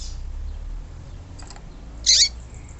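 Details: Female yellow-bellied seedeater calling, a sound used to excite males and bring them into singing condition; one short, harsh, buzzy chirp near the end, with faint earlier ticks over low background hum.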